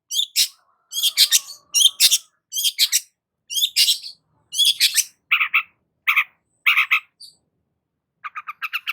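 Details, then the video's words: Long-tailed shrike singing vigorously as a lure for a stressed shrike: rows of rasping squawks, followed by lower, evenly spaced chattering notes and a final quick accelerating run of chips. "BURUNG CENDET GACOR PALING AMPUH UNTUK PANCINGAN CENDET STRES"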